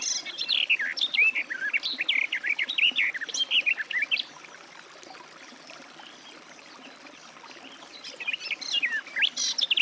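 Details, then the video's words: Garden warbler (Sylvia borin) pouring out a bubbling, fast warble for about four seconds, then a long quiet gap, and another phrase beginning near the end. "Warbler garden, birdsong"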